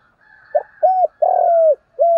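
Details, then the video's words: Spotted dove calling as a decoy at morning to provoke fighting: a brief soft note, then deep hollow coos, short, long and sustained, and a final coo starting, loud and clear over a quiet background. "tiếng chim cu gáy mồi kích bổi buổi sáng kích bổi nhanh nổi [ thúc đấu + gáy gọi ] cu cườm gáy gọi"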